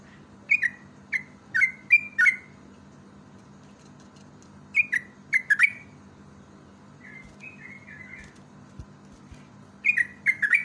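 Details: Yellow-vented bulbul song used as a lure: short clusters of three to five bright, bubbly whistled notes spaced by quiet pauses, one softer phrase in the middle, a low background hum throughout.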